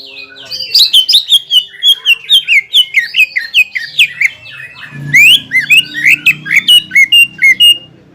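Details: Greater green leafbird song played to provoke a rival bird into heated singing: a lively run of varied high chirps, slurs and sharp squeaky notes, delivered in quick bursts of about two per second.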